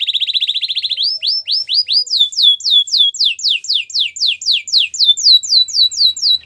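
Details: Gloster canary singing a fast buzzy roll of short notes, then a series of quick, high, falling whistled slurs repeated about four times a second, each sliding down sharply.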